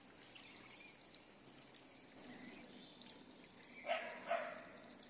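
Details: Rainbow lorikeets, flocking in pairs beside a stream, give two harsh, rasping screeches about half a second apart near the end, over a steady wash of running water.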